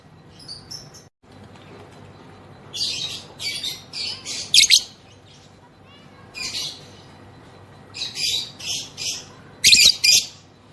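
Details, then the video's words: Female lovebird, kept as a lure bird to prompt others into ngekek singing, gives clusters of harsh, high chattering bursts in groups of three or four, separated by short pauses. "BURUNG LOVEBIRD BETINA NGEKEK NGETIK PANJANG || PANCINGAN AMPUH BIKIN LB NGEKEK"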